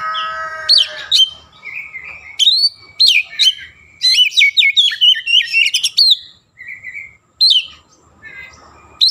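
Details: Oriental magpie-robin in full song, its repertoire loaded with Javan myna (jalak kebo) sounds: bursts of sharp, high whistled notes and quick chirps, with a short rasping phrase and brief pauses between outbursts. A faint low hum runs underneath.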